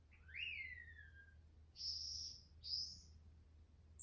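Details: Captive green-backed twinspots, newly arrived in a group of four pairs plus a few extra males: a thin whistle sliding downward, then two higher buzzy notes and a sharp final squeak, with a constant low hum beneath.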